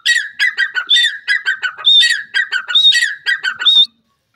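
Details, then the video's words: Grey francolin, known locally as teetar, calling loudly: a rapid, rhythmic run of harsh, squawking notes between about 1.5 and 5k, punctuated by higher whistled accents, about a dozen pulses over four seconds before abrupt silence. "grey francolin bird calling,pheasant teetar ke awaz"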